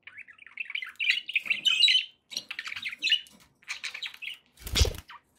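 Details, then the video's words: Pet budgerigars chattering: a busy run of scratchy warbles and squeaky chirps, ending with a sharp broadband clatter. "1 hour of budgie sounds"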